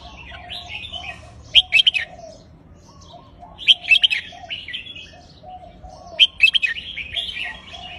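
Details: Red-whiskered bulbul, caged, repeating a counted-phrase song. A loud cluster of quick whistled notes returns about every two and a half seconds, separated by lower gliding warbles and faint chatter.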